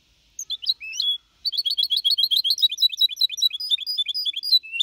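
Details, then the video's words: Clean Malaga-copy singing by a young goldfinch hybrid, 4.5 months old, meant to motivate other birds: a few opening chirps and a drawn note, then a long, fast stream of tinkling twitters. "Mixto de Jilguero Cantando Limpio (Copia Malaga) 2021 🎶 Tiene 4 meses y medio Para motivar pájaros"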